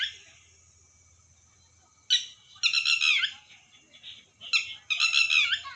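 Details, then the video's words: Red wattlebird making rough, grating calls: a short sharp note, then a long rasping burst, followed by another sharp note and a further rasping squawk, over a faint low hum. "Red watteld bird sound tatteri"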